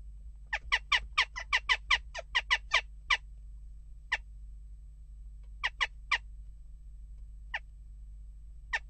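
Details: A western jackdaw amid unrest at the nest box utters a fast run of about a dozen short sharp calls, then single widely spaced notes trailing off.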